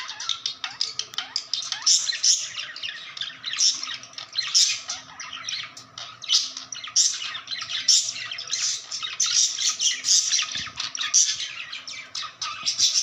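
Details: A happy pet budgerigar in its cage chatters nonstop in high, scratchy warbles, squawks and chirps.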